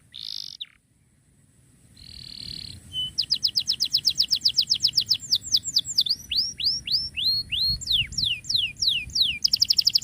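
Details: Canary song for tutoring canaries that stopped singing: short buzzy notes and a pause, then a long run of crisp rapid notes turning into slower swooping whistles, with another fast trill at the end.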